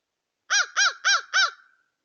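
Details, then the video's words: Crows calling while eating: four loud, harsh caws in quick even succession, each about a quarter second long, the last trailing off, with a quiet background. "Crows eating and making sounds"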